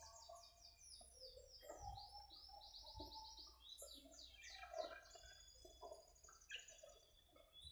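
Common myna singing a varied, busy jumble of high whistled notes in quick series, falling slurs and lower gurgling chatter, with a faint low hum underneath.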